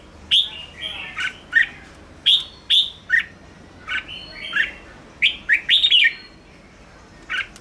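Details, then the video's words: Red-whiskered bulbul song used to excite and stimulate wild birds. Lively whistled chirps come in uneven bursts, with some notes sliding downward and others rising. A short cluster of rapid notes follows near the end, then quiet. "Chào mào ché kích bổi căng lửa/Kích chào mào nhanh ché/kích bổi xổ bọng"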